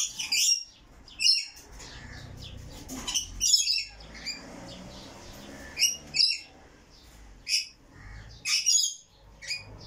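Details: Rainbow lorikeet calling in rapid, piercing screeches, roughly one burst every second. Some come as doubled notes, with quieter grating chatter in the background.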